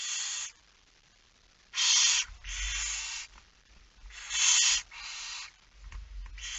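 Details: Barn owl at the nest during a night feeding, 10 September 2019 at 22:45. Harsh, broadband hissing bursts, each lasting about half a second to a second, come in uneven runs separated by short silences.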